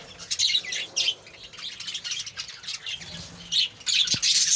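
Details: Captive budgerigar colony chattering together: dense, overlapping high warbles and squeaky chirps rising and falling in bursts, with a louder surge of chatter near the end.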